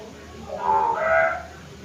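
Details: Single hill myna call: two clear harmonic notes, the first steady and the second rising higher, together about a second long, with a low, constant hiss behind.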